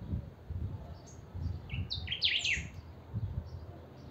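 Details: Chiviro (saffron finch) described as very songful: a bright burst of high zigzag whistles stands out over steady low rumbling background noise.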